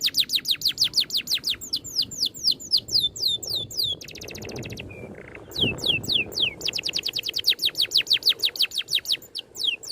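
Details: Training song of an oriental magpie-robin, tight 'ngerol' rolling delivery: quick runs of sharp falling whistles, a brief buzzy trill mid-way, then fast repeated downsweeps again over faint low noise.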